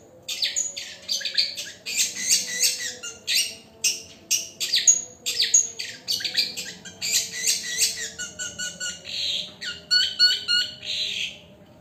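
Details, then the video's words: Long-tailed shrike singing: a busy run of harsh, scratchy chattering bursts mixed with short clear whistles and rapid repeated notes, loud and near, with a faint steady hum beneath. "CENDET GACOR"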